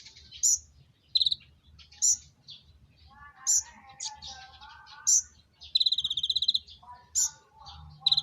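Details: Mating call of the common iora: loud high whistled notes repeated about every one and a half seconds, mixed with lower warbling phrases and one fast rattling trill, with a faint low hum throughout.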